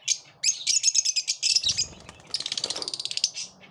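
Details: Pet lovebirds in a competitive moment, giving dense runs of shrill, high chirps in rapid bursts, with a short pause, then a fast repeated chattering series toward the end.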